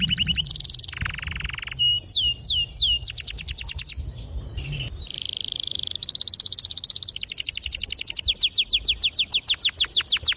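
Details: Loud canary song meant to coax young birds into singing, alternating buzzy steady tones, rapid trills and sweeping whistles in long continuous rolls.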